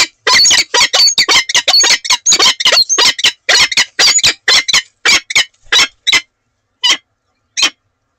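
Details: Morning conversation between a peregrine falcon pair at Oudenaarde, 7 March 2020: a rapid series of loud, grating calls that slows and thins out to a few isolated notes.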